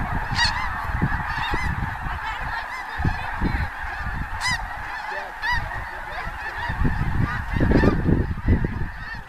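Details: Wild snow geese by the hundreds take off from cornfields on the north side of Bosque del Apache preserve before sunset in January 2014; massed overlapping squawking with sharper individual honks standing out, over low rumbling wind or wingbeat noise.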